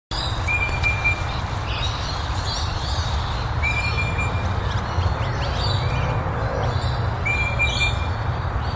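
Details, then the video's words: Pale-headed rosella, recorded 11 June, giving clear, even piping whistles about every two seconds with softer chattering notes, over a steady low rumble of traffic or wind. "Pale-headed Rosella - call"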